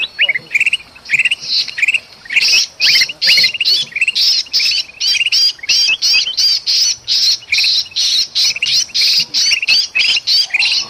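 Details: Agitated, noisy calls of a golden bulbul, used as a lure to attract birds in the forest, Sumatra: dense bursts of harsh chattering notes repeated almost continuously, about two to three per second, with no other sounds.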